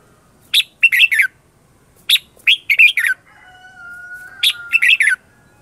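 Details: Lure red-whiskered bulbul's competitive song for attracting wild bulbuls; three clusters of bright, rapid chirps about every two seconds, with a thin level tone between the later phrases.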